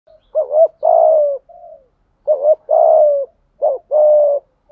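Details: Decoy spotted dove calling to lure other doves, running through its full set of calls: low cooing phrases, each a quick double note then a long falling coo, repeated three times with short pauses.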